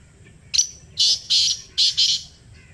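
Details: Black francolin in Pakistan giving a harsh, grating call in reply to a played call: one short clipped note, then four loud rasping notes in quick pairs over about two seconds.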